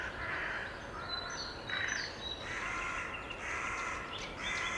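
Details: Nightingale, common species, delivering short varied phrases of pure whistles and buzzy trills, several bursts within a few seconds, with steady low background noise.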